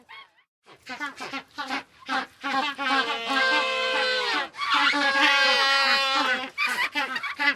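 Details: Group of penguins calling together: harsh, nasal, braying notes, first in short rapid bursts, then long drawn-out harmonic brays with overlapping voices, ending in more clipped pulses.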